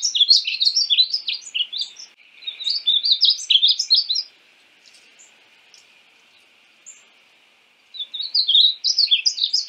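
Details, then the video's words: {'text': 'Painted bunting (Passerina ciris) warbling: two long runs of quick high twittering notes, then several seconds of near silence with faint chips before the song resumes.'} "Conheça o belo canto do pássaro estamenha pintada (Passerina ciris)"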